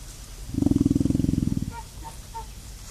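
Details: A female emu drums in a backyard: a deep, rapidly pulsing rumble lasting about a second, followed by a few faint, higher chirps in the background.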